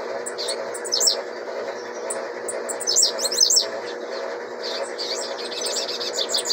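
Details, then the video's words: A young blue-black grassquit gives high-pitched buzzy bursts of rapid downslurred notes, then a longer chattering run near the end, over a persistent low droning hum; the song rate is stated as 26 per minute. "Tiziu filhote 26 canto por minuto"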